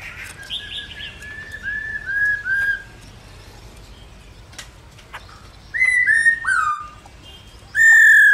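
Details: Female black-throated laughingthrush calling continuously, said to stimulate males, giving short, clear whistled notes in quick descending runs, about every two seconds, ending in a loud burst.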